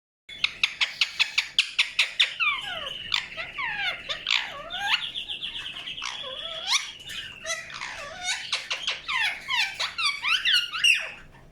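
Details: Indian ringneck parakeet chirping: a fast run of sharp clicky notes, then harsh screeches and looping whistled calls that swoop up and down, packed closely together through the whole stretch.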